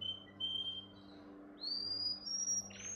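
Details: Training song for young canaries made of clean whistled tones: level notes broken by short gaps, followed by a smooth stepwise rise to higher, piercing pitches.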